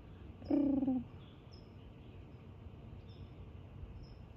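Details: Indian peafowl wandering in the open. It gives one short, nasal, harmonic call of about half a second that falls slightly in pitch. A quiet background follows with faint distant chirps.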